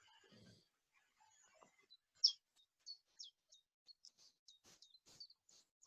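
A Chiffchaff sings a steady string of short, high, sharp notes, about three per second, alternating slightly in pitch. A brief low murmur comes first.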